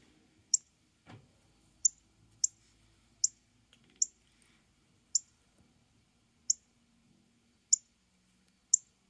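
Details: A male Northern Cardinal's mate call: sharp, high, metallic chips, about nine in nine seconds at an uneven pace, over a faint low hum.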